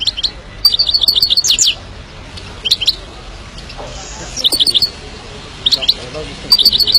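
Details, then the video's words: Himalayan goldfinch song in repeated short bursts of fast, high, tinkling twitters, some phrases longer and descending at the end, with brief pauses between them. "Kicau Burung Himalayan Goldfinch"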